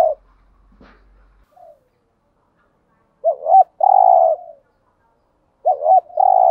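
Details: Two full spotted dove coo phrases, about two and a half seconds apart, from a lure track for wild doves. Each phrase has two short hooked notes and a long, level, husky coo. One faint click sounds early on.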